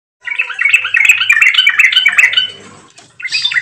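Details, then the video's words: Yellow-vented bulbul (trucuk) singing vigorously, used as a lure to get other bulbuls singing: a continuous bubbly, chattering warble of quick liquid notes for over two seconds, a brief pause, then another burst. "suara burung trucuk gacor Garuda pancingan trucukan agar bunyi dan ropel"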